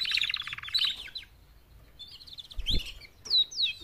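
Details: Female canaries, four together, calling to spur males into louder singing: a rapid high rattling trill, then scattered chirps and sharp upward and downward whistled notes, with a short low knock in between.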